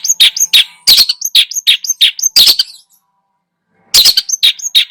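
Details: Energetic long-tailed shrike song rich in borrowed phrases, played as a lure to provoke other birds: a quick chattering run of harsh notes, about three per second, laced with thin high whistles, then a pause before a fresh burst.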